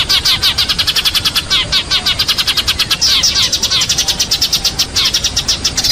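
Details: Eurasian tree sparrows fighting: rapid, harsh, scratchy chirps packed about eight to ten per second in a continuous agitated chatter, high-pitched and steady in loudness throughout.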